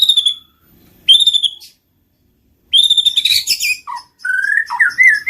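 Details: White-rumped shama (murai batu) lure song used to trigger singing and mating: long clear high whistles held steady, then a rougher burst and a run of lower warbled whistles.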